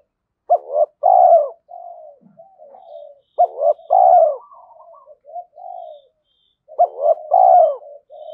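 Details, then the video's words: Decoy spotted dove, a trained lure bird in daily practice, calling to provoke wild males to fight: three repeated phrases of two short stuttering notes, a long loud falling coo, then softer trailing coos, separated by brief silences. "Chim Cu Mồi Thúc Đấu Và Gáy Gọi"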